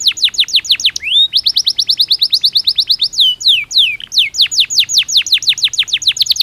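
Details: Belgian canary song delivered naturally: long runs of rapid, steeply descending chipping notes, broken briefly by a rising whistle and a few drawn-out slurs before the fast trill returns.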